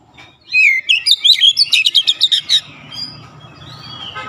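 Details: Oriental magpie-robin, known as kacer, in vigorous gacor ngotot song, bongkar isian: rising looped whistles run into about a dozen rapid staccato chips, then a faint whistle over low background rumble.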